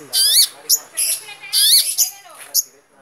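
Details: Long-tailed shrike singing harsh, raspy, buzzy notes with bright overtones, in loud bursts of a quarter to half a second separated by brief pauses, ending with a few softer notes.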